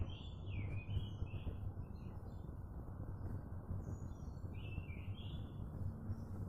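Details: Birds chirping outdoors: a few soft, slurred, warbling phrases near the middle register, spaced apart, over a constant low rumbling background noise.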